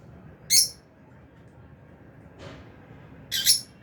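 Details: Albino and Fisher's lovebirds in an aviary, at meal time: two bright, sharp chirps about three seconds apart, the second a quick double note, over a low steady background hum.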